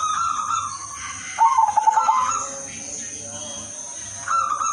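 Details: Melodious lure song of an udanmas silver zebra dove, meant to draw other doves: a clipped, rapid burst of cooing pulses in the middle, framed by held tonal notes, with an unbroken high whine in the background.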